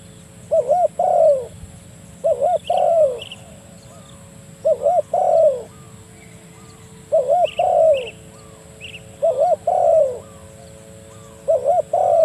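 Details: Spotted dove calling to a rival, a recording used to lure doves; phrases of two quick looping coos and a longer drawn falling coo, repeated about every two seconds, with faint high chirps of small birds between.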